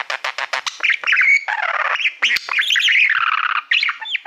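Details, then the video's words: Male pet budgerigar, fond of mirrors, warbling at a reflective plaque: a burst of sharp clicks opens into continuous buzzy, squawky chatter and trilled chirps, briefly interrupted by a short pause. "Budgie singing to Youtube Playbutton"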